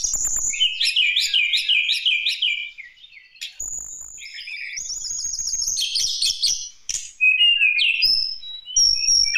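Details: Lesser shortwing song meant to lure other birds into singing. It opens with a fast, repeated zigzag trill, and after a short pause come thin, high whistles and scratchy warbled phrases in separate bursts.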